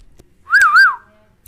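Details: Pet Indian ringneck parakeet kept as a talking bird, giving a single clear whistled phrase with a double wavering rise and fall, short and loud, followed by a sharp click, indoors.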